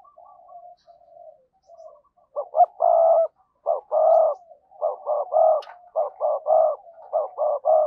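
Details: Spotted dove used as a decoy, calling to stir wild doves: quiet murmurs build into a steady series of loud, full, rounded coos, repeated in regular pairs and triplets until the end.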